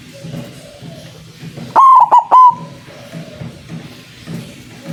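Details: Zebra dove, white variety, calling as a trapping lure: one loud, rich three-part coo mid-clip, long note then two quick notes, surrounded by soft background murmur.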